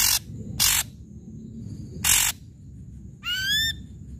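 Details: Ashy drongo singing loudly, used to provoke quiet drongos: harsh hissing bursts, a gap of silence, then one rising slurred whistle, a faint high tone running throughout.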